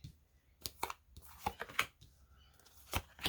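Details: Indoors in a small room, cards are shuffled and handled with sharp rustling clicks and taps, and no animal is heard.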